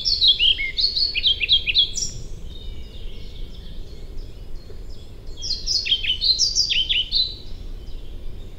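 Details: European pied flycatcher (Ficedula hypoleuca) song: two clear, rhythmic phrases of alternating high and low notes, each strophe about two seconds long with some repetitions.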